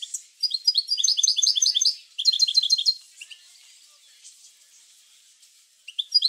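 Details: European goldfinch singing, a recording meant to stimulate goldfinches to sing: fast, high, liquid twittering phrases fill the first three seconds, then near silence with a few faint notes before a short twitter returns at the end.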